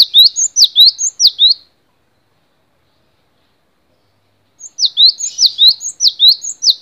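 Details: Cinereous tit (gelatik batu) in a long-duration tutoring song recording. Two bursts of sharp, high, two-part whistled notes, each a falling stroke then a rising slur, repeated briskly about every half second, separated by a pause.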